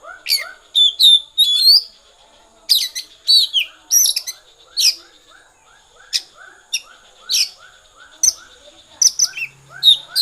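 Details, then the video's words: Oriental magpie-robin singing in the 'konslet' style: loud, varied bursts of sharp whistles, sweeping slurs and rapid chattery notes in clusters about every second, over a steady soft train of lower repeated chirps. "kacer konslet"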